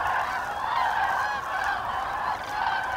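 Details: Common cranes on autumn migration over Hesse, Germany, 25 October 2021, in good flying weather: a dense chorus of overlapping trumpeting calls from a large flock, continuous and rolling without clear breaks.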